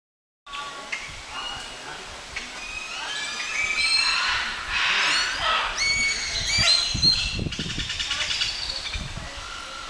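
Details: A wild flock of Scarlet Macaws, reintroduced through a breeding program, gives harsh, grating squawks and screeches in an overlapping noisy chorus at the Mayan ruins of Copan Ruinas, Honduras, with human voices murmuring underneath.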